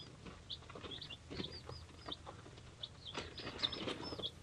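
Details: Peeping from three-day-old baby chicks of assorted breeds, among them Golden and Silver Polish and Black Giants: a busy run of sharp high chirps, several downslurred, mixed with rustling and light tapping over faint background hum.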